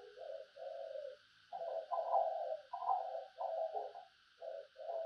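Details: Calling decoy spotted dove with a run of low, hollow, somewhat harsh coos in close succession, over a steady background hiss.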